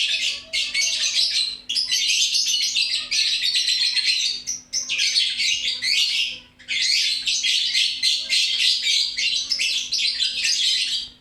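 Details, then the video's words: Lively lovebird chatter, long runs of rapid, buzzy, high squeaking notes in four main stretches with short breaks, over a faint low hum. "LOVE BIRD..GACOR RAME2"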